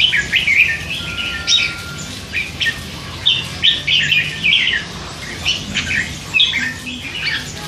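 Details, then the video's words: Red-whiskered bulbul, a hand-fed three-month-old youngster, chattering with song phrases; clusters of bright whistled and warbled notes, louder bursts separated by short gaps. "นกกรงหัวจุก ลูกป้อน 3 เดือน ปากเบาสุดๆ"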